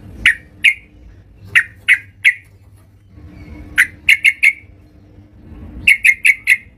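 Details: Yellow-vented bulbul at home calling in clusters of loud, abrupt, bubbly chirps, in pairs, triplets and a closing group of four. Quiet gaps between the clusters hold only a low hum.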